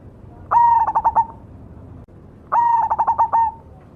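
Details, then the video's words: Zebra dove, cemani variety, gives two loud song phrases two seconds apart. Each phrase is a long clear coo that breaks into five or six fast throbbing notes, over a faint low hum. "suara burung berkutut cemani gacor mangung"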